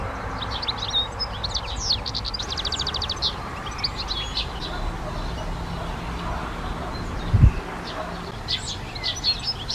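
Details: European goldfinch in a garden delivering tinkling, twittering song with a rapid rattling trill early on and more high chirps later; a brief knock and low hum in the background.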